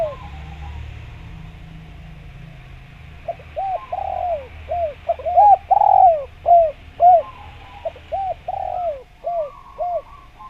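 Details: A lively Javanese spotted dove calls to draw in wild doves. After a few quiet seconds comes a fast series of hooked coos and longer falling notes, about two per second, then the series fades again.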